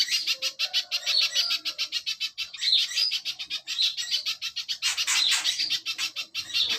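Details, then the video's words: Rapid series of sharp, high-pitched chips from a little spiderhunter, a master recording for songbird training, delivered in a steady machine-gun rhythm with a brief lower whistled phrase early and a burst of harsher notes later. "Masteran burung pijantung pisang full tembakan"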